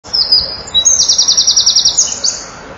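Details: Male Eurasian wren singing at a nest-box at 16:57 on 7 June 2012, performing for nearby females: a loud, very high burst of sharp notes running into a fast, even trill of about a dozen beats, then a brief rising flourish.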